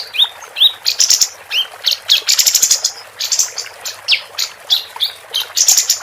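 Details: Female capped white-eye in full song for training competition birds: a steady, rapid series of thin high chirps and short upward-sweeping whistles, nearly continuous for several seconds.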